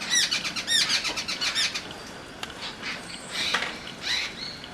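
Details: Jungle babbler: a rapid run of loud harsh squeaky notes for nearly two seconds, then quieter scattered chattering notes and a single sharp click.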